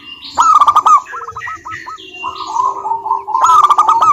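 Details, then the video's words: Lure song of a local zebra dove, meant to make silent doves start singing: sharp rapid coo notes, a stuttering run of short rolled notes, then another loud staccato burst. "Perkutut Malas Bunyi dijamin NYAUT GACOR LANGSUNG dengar pancingan masteran Kutut lokal ini"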